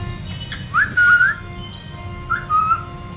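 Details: Pet Congo African grey parrot indoors in the evening, around 8:30, whistles after being urged to speak. A clear rising whistle slides into a held note, then a shorter, softer whistle follows. A faint background hum is present.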